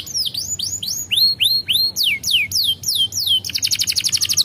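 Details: Canary song played to stimulate breeding in young canaries: a run of loud whistled notes, first rising then sweeping downward, repeated about three a second, ending in a fast buzzy trill of rapid high pulses.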